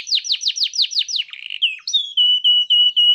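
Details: Ornamented 'gacor cengkok mewah' canary singing: seven quick high downslurred whistles, a brief buzzy note, then a run of steady, evenly spaced pure whistles.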